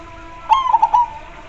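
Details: Zebra dove (perkutut) singing: a single cooing phrase of a short opening note and three or four quick, burry, mellow pulses near one pitch, lasting about half a second, over faint background hiss.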